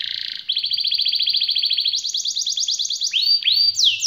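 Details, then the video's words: Canary in long rolling 'gacor' song: a brief buzzy note, then a fast, even trill of repeated chirps that steps higher at about two seconds, ending in sweeping upward whistles. "Kenari malas dan macet bunyi langsung nyaut,seketika dengar suara kenari gacor ngerol panjang ini"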